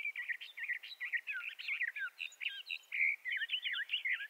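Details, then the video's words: Bendire's thrasher singing a continuous, rapid, warbled song of slurred, scratchy notes and short whistled phrases, with no pause for over four seconds. "Bendire's Thrasher Bird Song"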